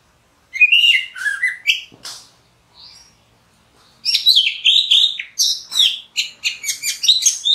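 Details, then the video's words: Orange-headed thrush singing a rich, varied run of sweet whistled and chirping phrases, rising and falling quickly, with a brief pause midway. "Orange-headed thrush Call | Voice | Song | Signing"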